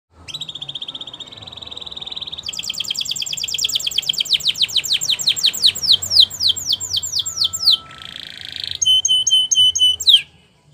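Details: Canary singing for training: a steady flat trill, then a long descending series of rapid repeated notes, a harsh buzzy burst, and a final run of clipped high chips.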